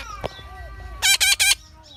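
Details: Hungry parrot being raised by hand: faint whistles and a click, then a sudden run of three loud, scratchy screeches close together, fading into quiet hum.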